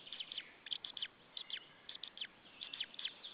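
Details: Male white-tailed eagle at its nest in Saunja, Estonia, calling on an April evening as another white-tailed eagle arrives: rapid series of high, sharp yelping notes with down-slurred tails, in irregular bursts over faint background noise.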